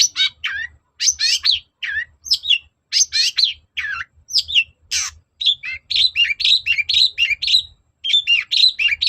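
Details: Long-tailed shrike song played to provoke another shrike into replying, a persistent, energetic bird singing bursts of harsh, scratchy and whistled chattering notes, about two phrases per second, with dense high twittering runs in the second half.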